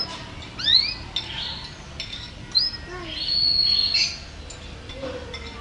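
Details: Canary in lively song with rising slurred whistles, quick chirps and a long, steady, high whistled note, plus a few lower descending notes.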